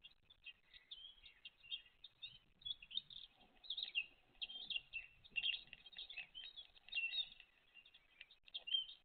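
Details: Great tit (Parus major) chicks with their mother on 29 April 2023, begging: a high, thin chorus of overlapping chirps and squeaks rising in bursts, with a faint low rumble behind.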